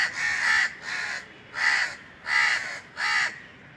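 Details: Indian crow cawing from a treetop on a very hot summer day: five harsh, broad caws roughly every 0.65 seconds, each a loud rasping burst with steady even strength.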